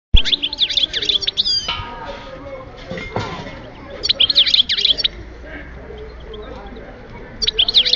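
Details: European goldfinch singing at Oued Souf in 2010: rapid, bright twittering bursts of high tinkling notes in three separate phrases, with quieter low background noise between them.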